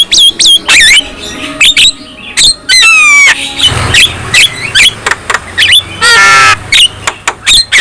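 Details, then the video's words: Black-winged myna song used to provoke other black-winged mynas into singing: harsh squawks, sharp rising whistles and a buzzy rattling burst, delivered in loud separate notes with short pauses between them. "Kicau Khas Jalak Kebo | Bikin Jalak Kebo lain ikut Gacor dan Emosi bila mendengar suara jalak ini"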